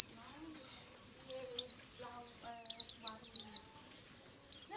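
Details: White-eye morning song in ngalas style: high, bright downslurred notes in rapid clusters, with softer lower tones and faint background chatter between phrases.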